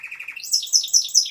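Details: Song of a Timbrado canary, opening with a fast pulsed trill before switching to loud, very high, rising-and-falling whistled phrases repeated about every fifth of a second.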